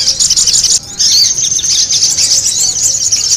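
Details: Spiderhunters in a noisy lure-call recording, chattering in a dense, shrill stream of high squeaky chirps and sharp notes that overlap almost without a break, with a brief pause near the start.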